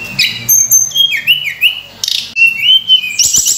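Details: Sunda robin in full, rich song used as a lure for training other birds: clear high whistles, some slurred downward and some rising, broken by brief buzzy bursts and sharp chirps in quick succession.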